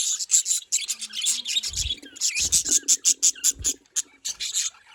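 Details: Chirping budgerigars, Larkana, Sindh, giving rapid high twittering notes in quick series, several short pulsed chirps in a row, with occasional low thumps underneath.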